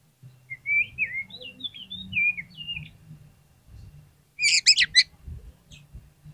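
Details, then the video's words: Lure song of an Oriental magpie-robin for coaxing quiet birds to sing: soft, wavering whistled phrases rising and falling, then a brief loud cluster of harsh, rapid notes over faint low background noise. "PANCINGAN KACER PALING AMPUH UNTUK RANGSANGAN KACER YANG MALAS BUNYI AGAR CEPAT NYAUT"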